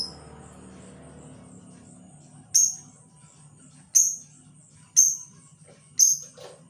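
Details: Labet bird kept as a lure for other labet birds, giving four sharp, high, downward-sliding notes spaced about a second apart over a quiet low hum.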